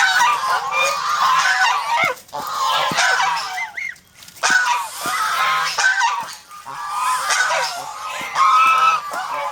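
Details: Protective domestic goose flock on a farm in the Philippines honking loudly, bursts of rough nasal calls with a clear pause near the middle before the clamour resumes.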